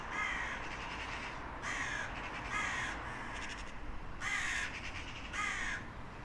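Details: Crows calling: a series of coarse, rasping caws at irregular intervals of about one second, several voices over steady background noise.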